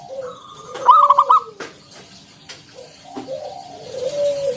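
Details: Local zebra dove singing in the ngalun style with a round 'kung' note, used as a lure to set other doves singing. A single loud rolling coo phrase early on, then faint soft drawn-out coos.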